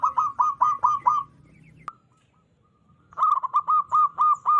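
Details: Wild zebra dove with a loud, clear voice, used as a lure for trapping: evenly spaced, bouncing coo notes in a quick row, a brief click, a pause, then another run of ringing, regularly repeated notes.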